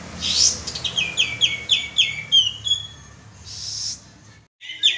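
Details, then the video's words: Olive-winged bulbul (kapas tembak) lure call: a rapid series of about eight sharp repeated chirps, then a short pause and a final chirp. "suara pancingan burung kapas tembak"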